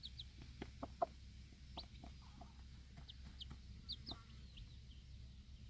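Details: Alert broody hen with four baby chicks feeding outside in the backyard; short high slurred-down peeps scattered throughout, mixed with soft pecking knocks and a continuous low drone.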